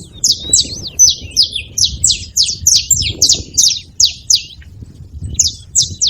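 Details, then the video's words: Repeated high chirps from a saffron finch, some paired or slightly wavering, delivered at a brisk uneven pace with a low background murmur throughout. "Canário da terra fazendo barulho"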